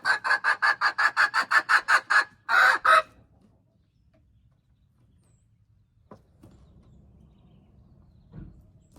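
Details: Crowing domestic hen, January 21, 2025: a fast run of about twelve evenly spaced raspy pulses, then two longer harsh notes, followed by near silence and a few soft knocks.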